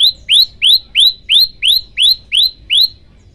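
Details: Male olive-backed tailorbird singing energetically, a string of nine loud upslurred chip notes evenly spaced, about three per second, then stopping.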